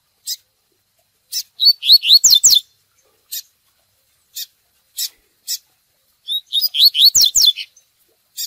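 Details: A Double-collared seedeater delivers its lively tui tui song, the style used for training: scattered single chips lead into a fast string of descending whistled notes, repeated as a second similar phrase, with isolated chips between.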